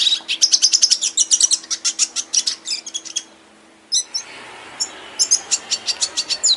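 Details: Aviary red siskin twitters rapidly in high chirps and whistles for three seconds, falls quiet, then returns with scattered sharp notes over a faint background hiss.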